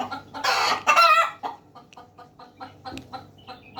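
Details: Hens and roosters heard in a loud, raspy two-part squawk, then a run of short, quick clucks repeated roughly twice a second over a faint low hum.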